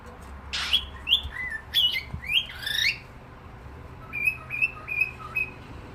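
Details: Cockatiel: a burst of rapid raspy squawks with rising and falling slides, then four short level whistles spaced roughly half a second apart.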